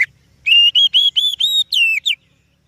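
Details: Oriental magpie-robin (kacer) singing, used to lure other birds. One short phrase of about seven loud whistles, mostly level and slightly rising, closes on a falling slur.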